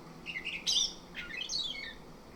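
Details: Orange-headed thrush song played to make kept birds sing rolling ngerol song in the morning: scratchy, squawky whistles mixed with quick falling slurs, set against a noticeable background hiss.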